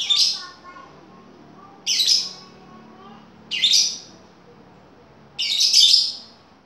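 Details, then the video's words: Lovebird lure call, used to draw a reply from other lovebirds: four loud, harsh, shrill screeching bursts, each under a second, coming about every two seconds against a quiet background. "Pancingan lovebird"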